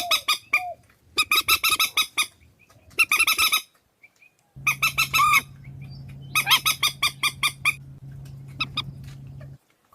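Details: Swamphen calls compiled as a Vietnamese bird-trapping lure: several bursts of rapid harsh honks with short gaps, a few soft low mews, and a steady electrical hum in the second half.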